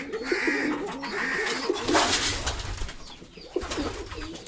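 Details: Pigeons make a run of soft, wavering coos in the first half, among high chirps from many birds, a rustling burst and low rumbling noise.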